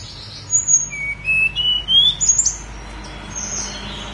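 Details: High, thin song of a snowy-browed flycatcher on Mount Songgo Langit: a string of rising whistled slurs and sharp twittered notes packed into about two seconds, then faint high notes over soft background noise.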